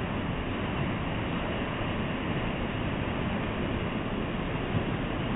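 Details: Steady broadband rumbling noise, like wind or passing traffic, runs throughout with no animal voice.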